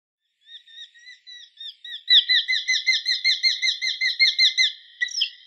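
Eurasian hobby giving sharp, high, slightly harsh 'kew' notes: a few spaced soft ones, then a loud rapid run of about five per second.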